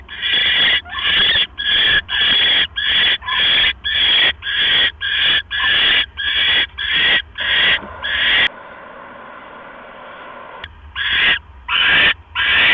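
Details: Barn owl nest, night of 12 October 2015, male arriving with another mouse: a rapid run of rasping, hissy screeches about every half second, broken by a two-second stretch of static before the screeches resume.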